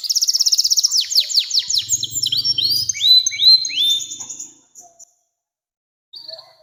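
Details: Canary singing a long song meant for training young birds: a rapid high trill, then descending whistled slurs and repeated rising notes, with a low buzzing underneath, ending in near silence with a brief final note.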